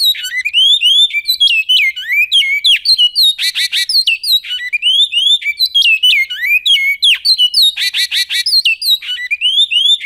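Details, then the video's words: Goiano-style song of a great-billed seed finch: nonstop varied phrases of slurred, rising and falling whistles broken by dense buzzy rattles and thin high chips, the pattern repeating throughout with a clean, quiet background. "CANTO BICUDO🎵 CANTO GOIANO"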